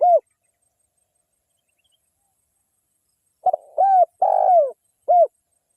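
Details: Calling local wild spotted dove used as a lure for others of its kind: a lone short coo ends one phrase, then after silence a new phrase of a stuttered start, two long soft coos and a clipped final coo.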